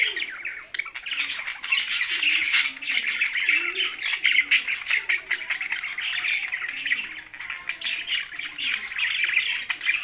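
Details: Budgerigars kept together with parrots in Larkana, Sindh, giving a dense, continuous chirping chatter of many overlapping warbles and squeaks, with sharp clicks scattered through and a few lower squawks beneath.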